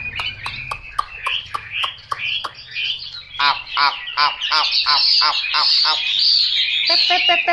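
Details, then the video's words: Chinese hwamei song made of sharp clicking notes and harsh, rich repeated calls in a quick rhythmic series, building into loud, fast whistled phrases. "Họa mi tuyển chọn"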